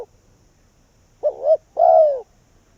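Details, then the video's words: Spotted dove used as a caged decoy to lure wild doves in, Vietnam: one phrase of two quick hollow coo notes and a longer, lower falling coo, after a cut-off note at the start. "Cu Gáy Việt Rút Bổi Về Chung Tàn | suara burung tekukur"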